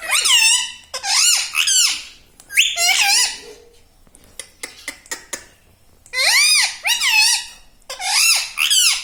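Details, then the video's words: Indoor pet parrot chatting non-stop in human-like speech, said to include "Mummy" and "Papa"; strong nasal syllables that rise and fall in pitch, a cluster of sharp clicks midway, then two more voiced phrases. "Talking Parrot"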